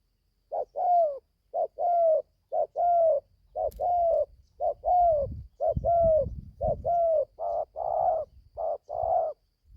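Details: Young spotted dove that has just begun calling, on its first training outing to the forest, gives a steady run of short, mid-pitched coos about once a second, each slightly arched, over faint low rumbling background noise.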